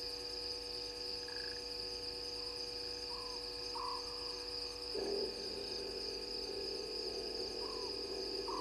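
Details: Scops owl at Gowrie dam waterhole, Djuma Game Reserve, Sabi Sand Wildtuin, South Africa, just after midnight on 04/06/20; short purring mid-pitched notes spaced a few seconds apart, over steady electrical hum, faint insect chirps and a brief noisy rustle midway.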